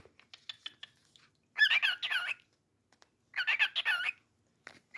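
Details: Pet cockatiel calling indoors: two loud whistled bursts of wavering notes, each lasting under a second, about two seconds apart. Softer, quieter sounds come before them.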